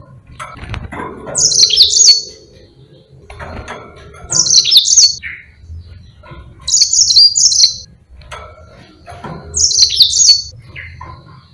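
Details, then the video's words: Yellow-fronted canary in lively, long rolling song used as a tutor recording for training other birds such as pleci. Four bright, buzzy, high twittering phrases, each roughly a second long and about three seconds apart, with low rustling and knocking sounds between them. "Burung Mozambique GACOR NGEROL PANJANG"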